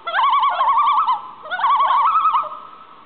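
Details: Common loon from a calling pair with their baby, giving two bursts of rapid, quavering, yodel-like tremolo notes, each lasting about a second, separated by a short pause. No other sounds stand out.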